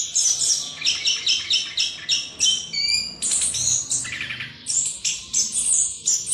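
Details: Continuous lure song of a chestnut-capped thrush ('ngerol'), used to make a rival sing loudly: fast series of high chirps, a few clear pure whistles near the middle, then mixed chattering phrases.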